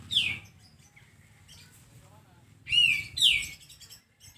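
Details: Sooty-headed bulbul tutor recording: a loud downslurred note at the start, then a pair of bright descending sweeps near the end, with quiet low rumble beneath.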